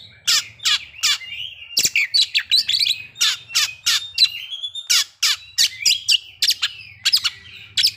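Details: Kacer, or white-rumped shama, singing in a cage to provoke breeding condition and aggression: sharp, clicking chips repeated rhythmically between flowing whistled phrases, over a low background hum.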